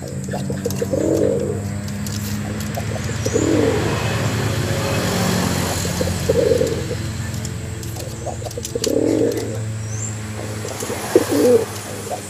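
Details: Pigeon cooing to lure a female: five rolling, low coos spaced about two to three seconds apart, over a steady low hum and faint background noise.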